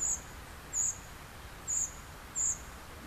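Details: Begging of a young common cuckoo while a great reed warbler feeds it: four piercing, very high, hissy notes spaced under a second apart over quiet background.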